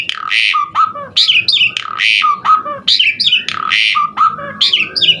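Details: Asian pied starling song of harsh, raspy squawks alternating with shorter, lower whistled notes, repeated in a rough cycle roughly every second.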